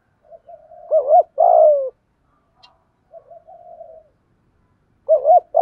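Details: Decoy spotted dove of the 'giọng thổ' voice style, calling to lure wild birds: soft low hums lead into a double coo and a long falling coo, then quieter murmured notes before the double coo returns; no other sounds.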